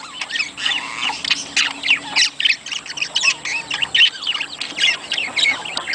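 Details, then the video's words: Budgerigar mating-stimulation sound: rapid twittering chatter with sweeping squeaky notes and harsh squawks, about three or four notes per second, uneven in rhythm. "صوت يحفز البادجي للتزاوج"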